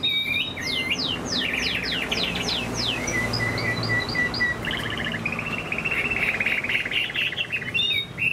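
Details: Caged Chinese hwamei in moult giving high song: a series of steeply falling whistled slurs, then short even repeated notes, then a long buzzy chattering strain, over a low background hum.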